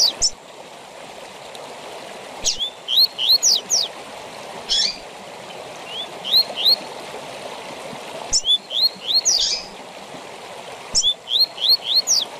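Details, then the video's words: Tui tui zel zel song of a double-collared seedeater, a recording for training captive seedeaters: four repeated phrases of upslurred whistles and sharp high notes, separated by pauses of about two seconds, against constant water-like hiss. "TUI TUI ZEL ZEL DE FIBRA TOP PARA ENCARTE DE COLEIROS E PAPACAPIM"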